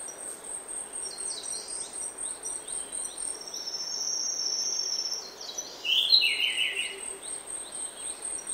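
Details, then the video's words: Grey-backed thrush song in oak woodland at early morning: one warbling, slightly descending phrase late in the clip, preceded by thin high notes and a buzzy insect whine over continuous cricket-like drone. "Early Morning In Oak Woodland. Prominent Song From Grey-Backed Thrush."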